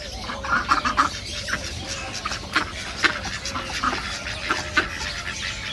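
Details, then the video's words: Nasal quacks from ducks at a nature reserve come in loose clusters, a quick triple at the start and then scattered single calls over a low background of other ducks. "صوت البط | دجل البط | بطبطة البط | Duck sound"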